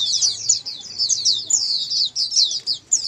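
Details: Pleci, or Oriental white-eye, in clear ombyokan song to prompt a silent bird; brief run of rapid, high, bright twittering notes with small gaps.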